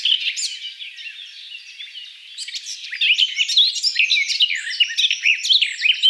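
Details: Garden Warbler (Sylvia borin) singing: a soft, quieter warble at first, then a louder, fast run of mixed slurred and chattering notes that continues to the end.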